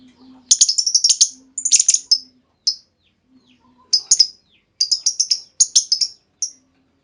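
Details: Female lovebird lure call to make other lovebirds respond with long trilling; fast bursts of piercing, stuttering chirps in clusters, with a faint low hum in the background.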